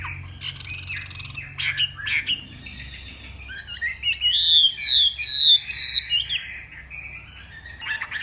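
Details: Hwamei from northwest Vietnam in a morning singing contest, practising its voice: a few sharp upslurred notes give way to a rich run of looping, warbled whistles climbing high, then softer trailing phrases, with faint low rumble underneath.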